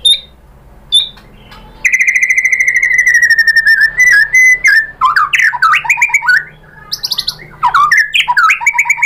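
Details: White-rumped shama song used to provoke other birds into singing: a long sustained whistle sliding slowly downward, then rapid varied phrases with sharp upward and downward sweeps, chattering notes and bright whistles.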